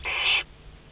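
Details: Western barn owl in a nest box at Théding during the hatching of a second brood, 22 August 2021: one harsh, breathy hiss lasting under half a second, then quiet.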